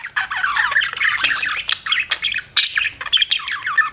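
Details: Continuous budgerigar warbling. Twisting chirps and harsh squawky syllables run almost without pause, with a sharper burst past midway.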